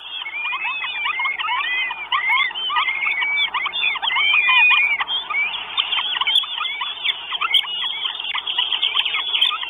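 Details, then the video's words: Hungry Northern goshawk chicks, four of them, in a nest in Estonia on 1 June 2022, recorded by a live camera. Rapid high squeals and upslurred whistles pour out nearly nonstop, louder in the first half. "4 CHICKS WISH FOOD. NORTHEN GOSHAWK."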